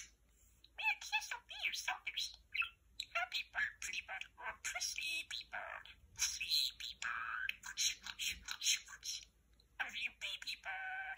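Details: Pet male parakeet keeps up a near-continuous stream of rapid, whispery mimicked speech and chirrups, talking to a lamp indoors, with only short pauses between phrases.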